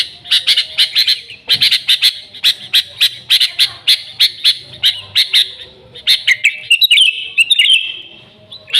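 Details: Lively sooty-headed bulbul song, recorded pure without added songs of other birds, meant as a lure for the species: steady series of clipped high chirps about twice per second, ending in a bright rolling whistled trill.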